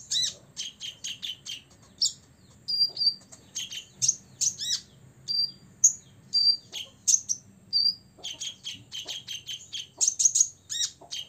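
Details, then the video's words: Ngobra singing of a six-year-old olive-backed sunbird, aimed at provoking rivals: dense strings of piercing high chips mixed with short level whistles, almost without pause. "kolibri ninja ngobra 100% bikin lawan EMOSI"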